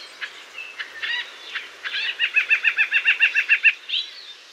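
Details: White-breasted nuthatch, a North American forest bird: a few scattered notes, then a fast even series of about a dozen identical mid-pitched notes, roughly three per second, ending in one higher note.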